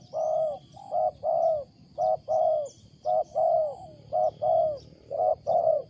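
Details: Loud, unusual cooing from a wild spotted dove: rich throaty coos in pairs, the second of each pair longer and falling, repeated steadily, faint chirps overhead.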